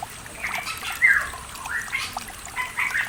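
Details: Pitohui in the mountains of East Java, recorded as a lure track to coax silent cage birds into song: short squawky notes near the middle pitch range, one louder burst at about one second, over steady trickling water.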